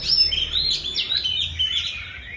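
An Oriental magpie-robin sings a rich, unbroken run of clear whistles, slurred notes and quick sweeps, loud and varied, with little else heard.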